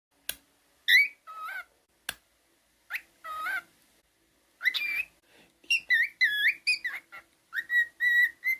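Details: Male pet cockatiel whistling indoors: clear harmonic whistles near the middle-high range, some rising and falling in wavy slurs, given in short bursts with pauses, building into a quicker run of repeated notes toward the end.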